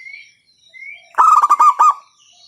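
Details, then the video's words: Loud local zebra dove calling to set other doves singing: faint high whistles first, then a quick stuttering series of about seven bright, resonant coo notes before it fades. "PANCINGAN PERKUTUT LOKAL SUARA KERAS, bikin pada manggung."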